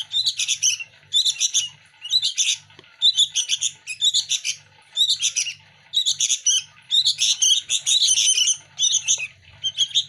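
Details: Local sooty-headed bulbul nestlings squabble over hand-fed food. Bursts of scratchy, high-pitched chirping repeat roughly once a second for ten seconds over a soft low background hum.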